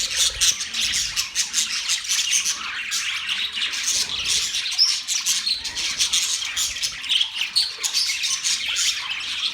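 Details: Budgies chirp nonstop in a thick chorus of high, rapid twittering and chattering notes, sounding like several birds together, steady from start to finish with no pauses.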